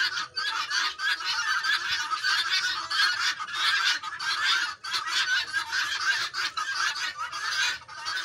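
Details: A flock of Helmeted guineafowl (Numida meleagris) on a farm keeps up a harsh, grating chatter of overlapping rasping calls without a break.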